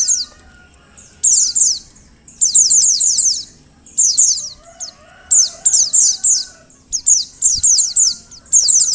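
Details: Female Oriental white-eye call for drawing males into song: after a quiet start, quick volleys of high, thin, downward-sweeping notes arrive in clusters separated by brief gaps; soft low background noise.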